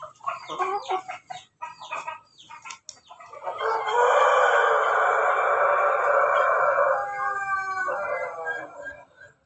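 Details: Ayam Ketawa rooster kept at home and bathed to encourage long crowing: a few short choppy notes, then one loud, sustained, harmonic crow held for about four seconds before trailing off in broken syllables.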